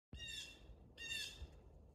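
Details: Black-capped chickadee, a small nonmigratory North American songbird of deciduous and mixed forests, giving two harsh, buzzy calls about a second apart, each a dense stack of raspy notes over a low background rumble.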